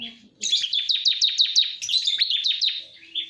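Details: Bar-winged prinia lure sound: a steady, rapid series of high, sharp, evenly spaced chip notes forming a continuous chattering trill lasting nearly three seconds.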